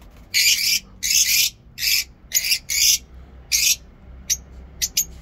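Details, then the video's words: Lovebirds in a mini zoo, heard in the morning: harsh, noisy high-pitched chirps in bursts of about half a second, roughly one per second, then shorter sharp clicks toward the end. "Lovebirds Sound in mini zoo"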